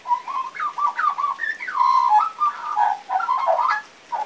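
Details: Young magpie with an unfinished song gives a continuous stream of mellow whistles and warbles, with a few higher upslurred notes and a steadier held tone in the middle.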